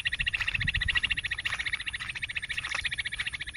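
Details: Bush quail hunting lure call: fast, even train of short rasping pulses, roughly three or four per second, continuing steadily with low background rumble.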